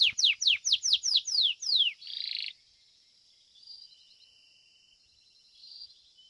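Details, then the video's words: Belgian canary, a domestic breed, singing at a contest: about eight swift falling whistles, then a short harsh buzz, followed by quiet, thin sustained high tones after a pause. "Canário Doméstico "Belga""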